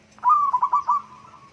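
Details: Local zebra dove producing a brief, pulsing trill of rapid, stuttered notes at a fairly steady, clear pitch, lasting about a second before fading, with a low faint hum beneath.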